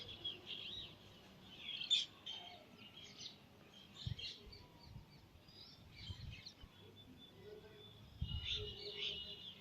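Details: Young Indian parrot giving short, high chirping and squeaky notes in scattered bursts, some rasping, against background noise with occasional low thumps.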